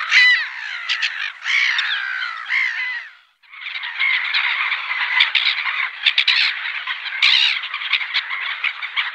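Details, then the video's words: Black-headed gulls give harsh, grating calls, a brief burst then a dense, continuous chorus of overlapping squawks and chatter, with no other clear sounds. "Reclamo de Gaviota Reidora"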